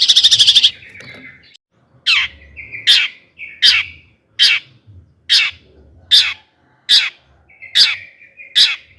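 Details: Long-tailed shrike calling in 'toet toet' fashion to stir other shrikes into song. A brief buzzy rattle is followed by harsh, downward-slurred notes repeated about every 0.8 seconds, ten times.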